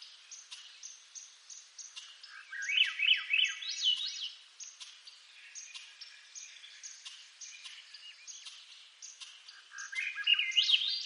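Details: Swainson's thrush of eastern North America singing two phrases, each a run of looping flute-like notes that spiral upward from low to high. Between and behind them, short, high chirps repeat steadily about three times a second.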